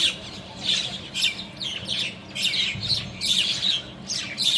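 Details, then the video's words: Common myna giving harsh, scratchy squawks and chatters, about two bursts a second, high and grating, over a faint low hum. "Common myna birds"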